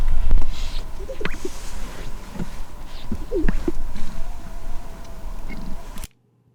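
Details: Greater Sage-Grouse males displaying at the Henefer Lek, Utah, around 7 a.m., competing for three to five hens: low, hollow booming pops in close pairs, a few seconds apart, made by squeezing air from chest pouches to attract a mate, over steady wind rumble.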